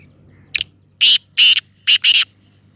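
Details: Black francolin giving a harsh, grating call of four loud raspy bursts after a short opening note, the last two close together, in otherwise quiet surroundings.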